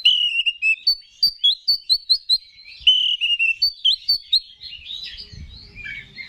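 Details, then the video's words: Provoking song of a kacer, or Oriental magpie-robin, to rouse rival males: quick series of sharp whistled chirps interrupted by falling warbles, ending in softer scratchy notes with faint low rumbling. "Pancingan Menaikan Emosi K4CER"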